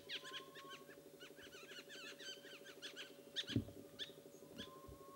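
Black bulbuls give a rapid jumble of squeaky, nasal chirps and mewing notes over a steady mechanical hum, with a dull thump partway through.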